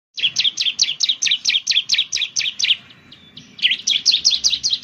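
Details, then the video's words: Bar-winged Prinia (ciblek) song used as a lure to get birds singing: a fast run of sharp, high, downslurred chirps, about two per second, broken by a short pause and then resumed. A faint low background hum underneath. "Suwara Burung Ciblek || Ciblek bird lures, the sound of the gacor immediately picks up"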